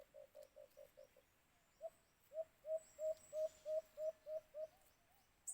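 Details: Calling white-eared brown dove (alimokun) during cage-trap hunting: a quick run of six softer, lower hoots fades out; after a pause comes a louder series of ten hollow, slightly rising hoots, roughly three per second.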